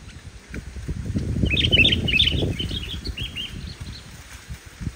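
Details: Sooty-headed bulbul singing energetically, pure song without imitations, meant to coax quiet bulbuls into singing: a cluster of short, bright chirping whistles tumbling together, over a steady low rumbling background.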